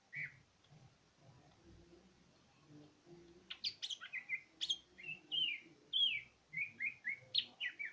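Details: Cucak ijo (greater green leafbird) in full gacor song, a lively stream of sharp upswept whistles and slurred chirps at about two per second, building after a quiet start with soft background rumble.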